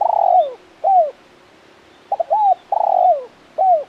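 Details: Tekukur (spotted dove) with a crisp 'kuk 1' call: a long pulsing coo dropping in pitch, a separate falling coo, then another phrase of quick notes, arched coo, rough long coo and a closing coo.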